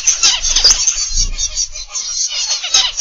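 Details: Many caged zebra finches in a morning aviary calling together, a loud unbroken wash of shrill, nasal notes with brief louder peaks and some low rumble.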